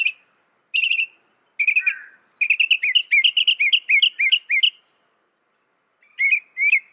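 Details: Mimicking northern mockingbird, credited with reproducing 200 sounds: a varied run of sharp chirps, slurred notes and rapid twittering phrases, building into a quick jumbled sequence before two final separate chirps, with no other sounds.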